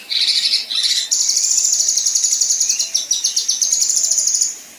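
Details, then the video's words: Female kinoi singing rough 'tembakan kasar' shots: two short buzzy bursts, then a long high, sharp trill of rapidly repeated notes with a brief stutter midway, fading out at the end. "Besetan Dan Tembakan Kasar Kinoi Betina"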